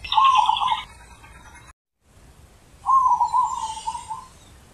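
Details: Zebra dove singing in nature in the deep 'ulem' manner: a rapid, warbling low coo, a short silent break, then a longer bubbling trill, with faint high twitters from other birds.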